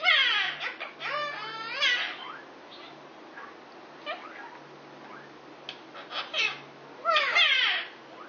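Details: A six-year-old male Indian ringneck parakeet chatters to a neighbouring female Quaker parrot in a flirting display. Bursts of warbling, rippling chatter open and close the passage, with scattered short squeaks between them.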